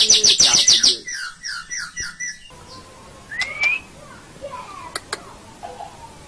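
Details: White-rumped shama tutor song used to train caged birds, best played in morning or evening: a dense burst of high, rapid twittering notes, then a run of repeated mid-pitched chirps, fading to scattered faint whistles and clicks.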